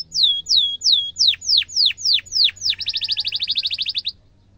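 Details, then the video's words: Canary song for teaching young birds to sing: loud downslurred chirps about three per second, then a fast, tight buzzy trill that stops abruptly. "kenari gacor panjang cuit cuit emosi, pancingan kenari paud belajar bunyi"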